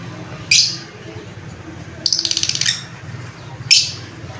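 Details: A lovebird gives three piercing squawky chirps, the middle one a stuttering buzzy rattle, spaced over a few seconds above a low humming background.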